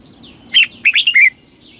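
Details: Red-whiskered bulbul in a single quick phrase of its fast stimulating song: a few loud, bubbly slurred notes set against faint, high background whistles.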